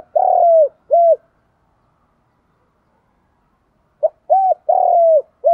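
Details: A spotted dove kept as a decoy calls in the morning to lure wild doves: long falling coos alternate with short hollow ones in two loud bursts separated by about three seconds of silence.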